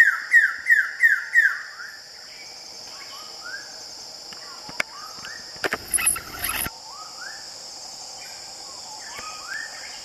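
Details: Male Wilson's bird-of-paradise on Waigeo, 2015, calling while clearing leaves from its display ground: a quick run of five harsh, down-slurred notes, then softer scattered calls, over a steady high insect drone and a brief rustling thud.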